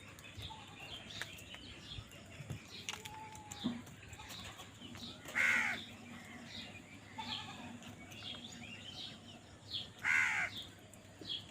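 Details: Crows fighting for food: two loud, harsh caws about five seconds apart stand out over a busy background of small birds chirping and faint thin calls.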